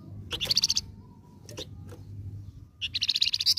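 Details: Lure song from a golden-headed cisticola given in two short, fast rattling bursts of high buzzy notes, separated by a pause with faint clicks and a low steady background hum.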